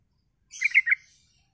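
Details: A yellow-vented bulbul's lure song, used to provoke other bulbuls into answering. A quick bubbly phrase of three liquid, gurgling notes in under a second, with no other sounds.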